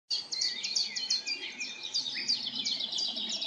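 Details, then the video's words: Common chaffinch singing in a forest: high, rapid strings of sharp chirping notes run together in busy phrases, with no other clear sounds. "Śpiew zięby 🔅 Chaffinch singing"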